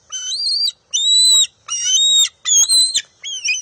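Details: Bald eagle eaglet at the nest, June 23, 2021, squabbling with its mother for a fish: five high, slurred, whistled squeals rising and bending in pitch, with soft scraping and knocking sounds between them.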